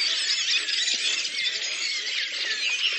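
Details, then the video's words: Collective singing of a Redwing flock at Lipovaya Gora, Oka Nature Reserve, Russia, April 2019: a dense, loud wall of high squeaky twittering from many birds, even and continuous. "Белобровик Turdus iliacus, коллективное пение стаи / song of the Redwing flock"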